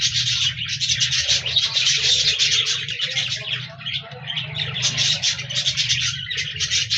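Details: Budgerigars singing and chirping, recorded 14 January 2024: busy overlapping bursts of high buzzy chirps and warbles, dipping briefly near the middle before rising again, over a faint low rumble.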